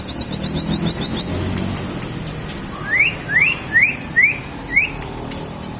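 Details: White-rumped shama song with mimicry of other birds, including lovebird; a high rapid buzzy trill, then five rising whistled notes roughly every half second, with traffic rumble underneath.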